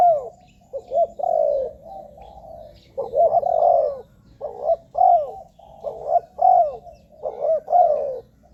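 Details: Repeated mellow cooing of a spotted dove, played to attract wild doves to ground, branch or trap-cage decoys, with soft hollow notes in uneven phrases and brief pauses between them.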